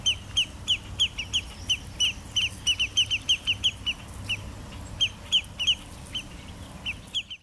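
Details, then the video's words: Territorial dispute between an adult and a juvenile Spotted Sandpiper at Jamaica Bay Wildlife Refuge, Queens, New York City: sharp, high peet notes, about three a second in quick irregular bursts, over a low steady rumble. "Territorial dispute between Spotted Sandpipers"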